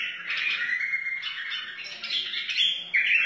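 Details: Continuous gurgling, warbled phrase from a wild white-eared bulbul, one unbroken flow of mellow notes lasting about three seconds. The song serves to tutor chicks and stimulate other bulbuls.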